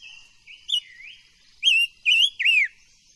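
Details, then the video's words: Silver-eared mesia, an ornamental cage bird, singing during voice training: a soft rising whistle, then three loud, clear slurred whistles in quick succession, the last sweeping downward. "Tiếng chim ngũ sắc hót hay luyện giọng ngũ sắc"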